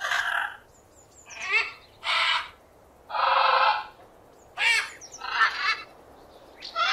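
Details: Parrot calling with loud, harsh, raspy squawks in bursts of about half a second, some rising and falling, separated by short pauses; a steady faint background hiss.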